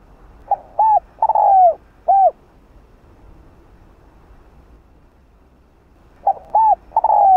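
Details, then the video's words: Calling song of a spotted dove (cu đất), used to stimulate other doves. Two phrases roughly four seconds apart, each made of soft hollow hoots with one long falling coo, over faint background hiss. "Cu gáy kích bổi/Tiếng cu gáy mồi chuẩn Gáy Gọi"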